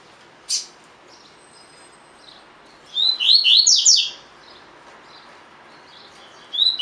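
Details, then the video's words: Collared seedeater, a caged bird, singing a 'tui tui' style song used as training audio: a brief high note, then around three seconds in a loud run of descending whistled slurs around one second long, with a faint note at the end. "COLEIRO DE GOLA TUI TUI FIBRA (8 Horas Encarte)"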